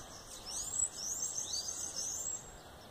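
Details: Bananaquit singing: faint, thin, very high rising and falling squeaky sweeps that overlap in a dense wheezy jumble, set against a soft outdoor hiss.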